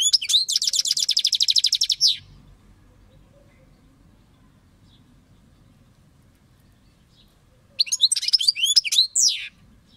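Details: Goldfinch song phrases (nağmeleri): a fast, dense rattling trill of about two seconds, a long quiet gap, then a lively burst of high chirps and downward-slurred whistles. A low murmur is heard faintly between phrases.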